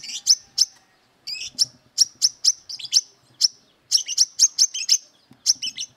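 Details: Brown-throated Sunbird in full voice, ready to fight and seeking a rival, giving sharp, high, clipped chips and short buzzy notes in quick irregular bursts, about two per second, with brief pauses between runs.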